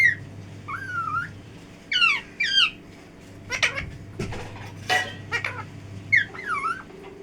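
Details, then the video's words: A talking parrot utters scattered phrases: wavering whistle-like tones, zigzag harmonic syllables and sharp clicks, interspersed with quiet gaps and a low background hum. "Talking parrot"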